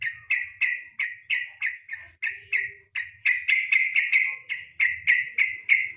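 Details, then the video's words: Yellow-vented bulbul singing in the evening, recorded as a lure and master song for training contest songbirds. Bright, sharp chirped notes repeat about three times a second, growing denser midway, over a faint low hum. "KICAU PANCINGAN BURUNG TRUCUK SORE HARI"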